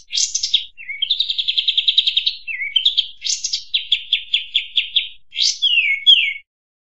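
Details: Kampas tembak song used as a master and lure recording: a high, lively phrase of fast trills and buzzy, evenly repeated notes, ending with a quick downward slur, with no other sounds.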